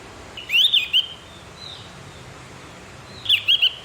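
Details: Javan grey-throated white-eye in the morning, used to train captive birds to sing: a quick burst of twittering high whistles, a pause of about two seconds, then a similar burst.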